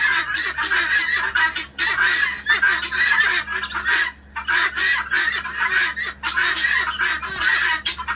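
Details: Guinea hens, a visiting flock of about 20, loudly calling one morning in Lovettsville: rough, scratchy squawks in long chattering runs broken by short pauses, a low electrical-sounding hum beneath.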